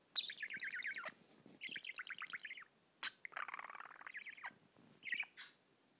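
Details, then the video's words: Pet budgerigar singing and tweeting: long stretches of fast, scratchy warbling chatter with rapid buzzy notes, broken by short sharp high chirps, a few quiet pauses between phrases. "singing and tweeting"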